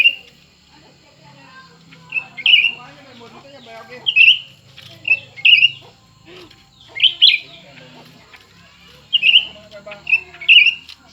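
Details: Two cucak ranting birds, a new one and an old one, competing in song: clear, sharp whistled phrases repeated every one to two seconds, often paired, over quiet background chatter.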